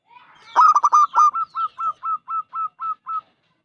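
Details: Five-year-old local zebra dove with a big voice, singing to stir other doves into song; a cluster of quick staccato notes opens a neat series of about ten evenly spaced, fading coos.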